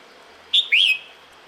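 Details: A single female red-whiskered bulbul in breeding season calls the male with a short high whistle followed by a longer rising-then-falling slurred note.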